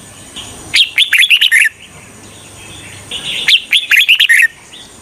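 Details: Decoy red-whiskered bulbul luring wild birds for trapping gives two longer, tumbling phrases of rapid chirpy, slurred whistles, roughly three seconds apart, above a faint steady high whine.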